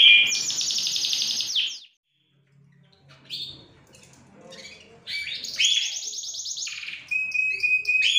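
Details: Canary singing actively (gacor), from a stock including Larquet, Scotch Fancy, frost and silver agate types, December 2020: long fast rolling high trills lasting over a second each, a pause, then a second long trill followed by thinner whistled notes.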